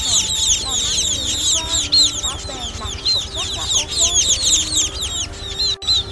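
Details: Juvenile munias in a loud, busy chorus used to lure birds into nets: sharp, high chirps tumbling over one another nonstop, with faint lower whistled tones and a brief break near the end.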